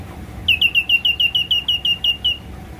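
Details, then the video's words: Orange-headed thrush song used as morning therapy to lure and stimulate caged thrushes that have stopped singing: a quick run of about a dozen clear, high, slurred notes, each repeated rapidly, over a faint low hum. "TERAPI PAGI BURUNG KANIS KEMBANG"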